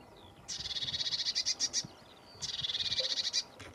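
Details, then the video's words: Lesser whitethroat delivering two dry, rapid rattles on a single high note, each about a second long with a brief gap between, while faint thin whistles of other birds sound in the background. "Lesser whitethroat"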